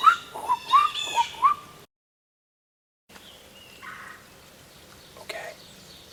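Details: A Red-bellied Woodpecker in a backyard near Hawk Mountain Sanctuary in spring gives its chair call: five quick, rolling, burry churr notes in under two seconds, then a pause with faint background birdsong; it was also drumming.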